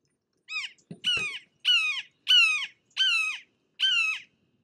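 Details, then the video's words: Red-shouldered Hawk, a forest raptor, giving loud, repeated kee-aah calls; six harsh, down-slurred screams about every 0.7 seconds, each dropping in pitch at the end, with a couple of brief low knocks between the first calls. "My name is Scott from Bird Watching HQ and today you are going to learn how to identify the calls and sounds of a Red-shouldered Hawk."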